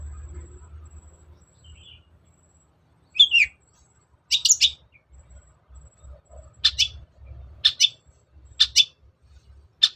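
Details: Long-tailed shrike kept as a cage bird, song used to provoke a silent bird into singing: scratchy notes, then a run of sharp, evenly spaced clicks about once per second, with a low background hum.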